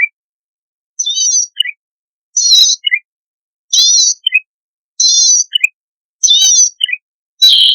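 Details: Vigorously singing zitting cisticola, or cici padi, a recording used to lure wild birds. High, buzzy, wavering notes are repeated about every 1.3 seconds, and each is followed by a short lower twitter.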